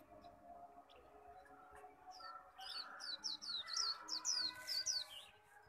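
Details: Japanese white-eye in a singing contest, performing the khuyên líu song style: after a quiet start, a rapid run of high, thin, downslurred whistled notes speeds up into an excited burst, over faint steady background tones.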